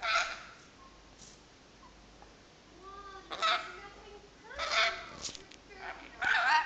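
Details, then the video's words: A talking rainbow lorikeet repeats a raspy, speech-like "hello" in four short bursts about every one and a half seconds, with quiet background hiss between. "Talking bird...Hello hello sooky rainbow lorikeet"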